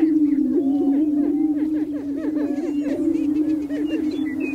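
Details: Male greater prairie chickens on their booming grounds in spring, courting females: an unbroken low moaning tone with dense, rapid looping cackles stacked above it, many birds calling together.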